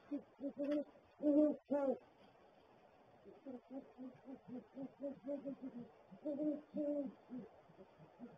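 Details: Male and female great horned owls together at a nest barrel at 7:19 AM on January 13, 2022, the male giving gular-like sounds among hoots. Quick stuttering deep hoots, a few louder notes early, then a long soft series.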